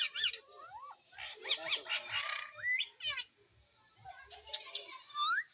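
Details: Parrot chirping and squawking, with rising whistled slurs, rough chattering bursts and a final upward-sweeping call after a short pause; a soft low thumping runs underneath.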